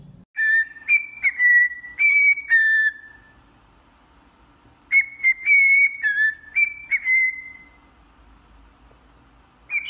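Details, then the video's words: Cockatiel song made of two bursts of linked whistles, each phrase stepping up and down before a long falling note trails off. A quiet pause separates the bursts, and a new whistle begins at the end. "تغريد ببغاء كوكتيل"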